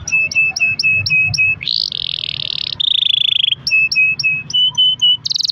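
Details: Caged canary song intended to set other canaries singing: evenly spaced short clear whistles about four per second, then long buzzy rolls, then more whistled notes and a final high trill.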